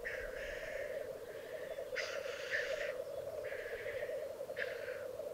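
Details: Lek display of black grouse in the Italian Alps of Piedmont, 2022. Four separate harsh hissing bursts are spaced across the clip, with a continuous bubbling cooing chorus underneath.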